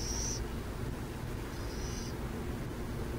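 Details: Burrowing owls in San Jose give two brief, thin hissing screeches about one and a half seconds apart, the second fainter, against a low background rumble.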